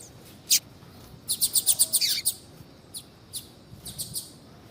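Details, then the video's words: A female double-collared seedeater calls to stimulate a male's singing, tui tui song style; one sharp chirp, then a rapid run of about eight high notes, followed by scattered softer chirps. "FÊMEA DE COLEIRO CHAMANDO PARA ESQUENTAR COLEIRO TUI TUI"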